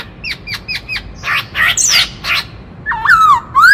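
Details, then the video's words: White-cheeked laughingthrush singing in a many-voiced style meant to stir up other birds: a quick run of four short hooked notes, then harsh scratchy squawks, ending in loud looping whistled slurs. "Khướu bạc má hót - Tiếng chim Khướu rừng hót kích trống - Chim khướu hót nhiều giọng hay"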